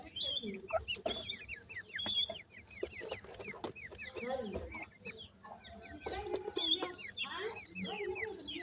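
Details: A group of francolin chicks kept in captivity calls during feeding, giving dense, rapid, high chirps, each a quick upward or downward slide, with pecking taps and some low human voices.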